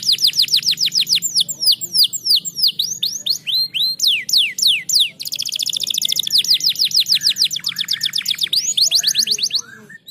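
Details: Canary song played to stimulate lazy canaries to sing: long series of loud, falling whistled sweeps repeated about three times a second, breaking into rapid high rolling trills, then more descending sweeps.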